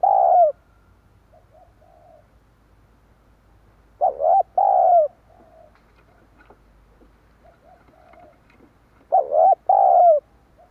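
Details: Spotted dove calling to lure wild doves: three loud coo phrases spaced about four to five seconds apart, each a hooked rising note then a drawn-out tone, with soft short coos between.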